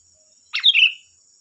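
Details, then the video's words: Sooty-headed bulbul singing a single quick, bubbly phrase dropping into a brief whistled tail, played to provoke other bulbuls to reply; a constant faint high-pitched whine runs underneath. "Suara burung Kutilang Gacor || Suara pancingan Kutilang bahan"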